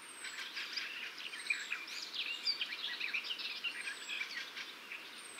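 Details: Blyth's reed warbler, a species of gardens and forest edges whose males insert calls and phrases of other birds into the song, singing a fast, continuous, chattering warble of varied high notes over steady background noise.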